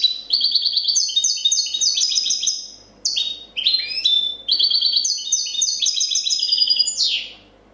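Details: Sustained copia song of a 2014 champion European goldfinch: long, fast runs of repeated liquid, ringing notes broken by a few sweeping slurred notes, nearly continuous for seven seconds, with low room hum.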